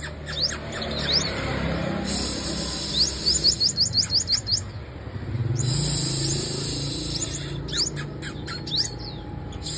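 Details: Female sunbird singing: quick series of thin, high rising chirps repeated in fast runs, against loud broad background noise and a steady high whine.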